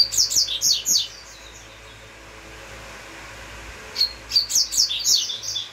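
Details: Uruguayo-style song of a double-collared seedeater: a fast string of bright, high slurred chirps, a quiet gap of nearly three seconds, then another quick ringing phrase beginning with a clear whistled note.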